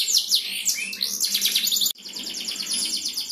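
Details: Canary champion singing to stir other canaries: tumbling swept whistles and chirps give way, after a sudden break, to a fast buzzy high roll.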